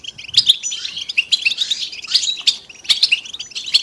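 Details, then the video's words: Several European goldfinches twittering together as group song with mating calls, used to encourage silent males to sing: busy overlapping high chirps and tinkling notes in quick irregular bursts, with no other sounds. "بتبتة وستستة الحسون علاج صمت الحسون بتبتة حسون جماعية تساعد على التغريد"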